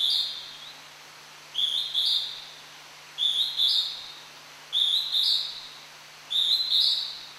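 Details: Hodgson's hawk-cuckoo singing unseen at Tokyo Citizens' Forest (Tomin no Mori), Japan: a high, shrill two-part whistle repeated about every one and a half seconds over a quiet background hiss.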